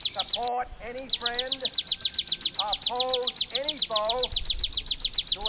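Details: High, rapid ticking song of a bar-winged prinia in the 'kristal' style, recorded as a master for training songbirds: a dense, even stream of shrill notes about six per second after a short gap, with a man's voice speaking underneath.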